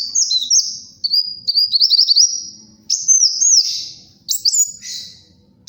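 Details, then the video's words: Sunbird known as kolibri wulung singing energetically, for luring and tutoring cage birds: very high, rapid warbling phrases of stuttering, zigzag whistles, each run lasting one to two seconds with brief breaks between. "SUARA BURUNG KOLIBRI WULUNG GACOR, UNTUK PIKAT & MASTERAN"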